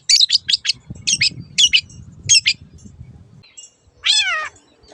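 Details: Long-tailed shrike, master recording for training caged birds that have gone quiet or moved to a new keeper: quick paired high chirps in short bursts, then a pause and one drawn-out, falling, harmonic nasal call.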